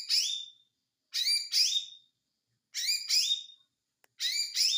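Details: Repeated konslet phrases from an ijo mini white-eye. Each is a pair of shrill chirpy bursts closing in a falling whistle, given about every one and a half seconds. A tiny click is the only other sound.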